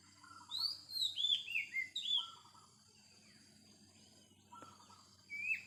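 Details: Wild Oriental magpie-robin giving a varied song of bright descending whistles and short buzzy trills in a burst, then a pause with faint notes and a click, ending with a rising whistle.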